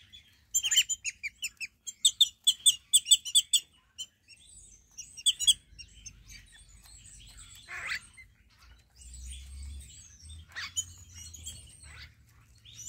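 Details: A flock of Wattled Starlings (Creatio carunculatus) visiting a Namibian garden in the morning gives a quick run of squeaky, high chirps, about three a second, then scattered wheezy notes over a low rumble of wind.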